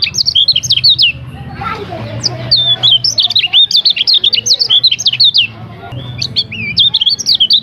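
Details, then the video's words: Varied song of a lemon-bellied white-eye for training, a busy sequence of high slurred chirps and trills in uneven phrases, over a faint low hum. "Masteran Kecial Kuning Suara Bervariasi"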